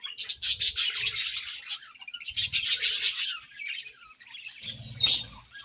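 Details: Breeding-season budgerigars chatter in bursts of high, scratchy twittering and warbling, with low thuds under the louder passages and a quieter gap before a final sharp burst.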